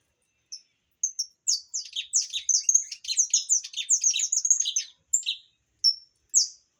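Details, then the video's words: Opaline saffron finch singing: a few sharp high chirps open into a dense, fast run of buzzy, twittering notes from about 1.5 to 5 seconds, then the song thins back to scattered separate chirps near the end. "Canário da terra opalino"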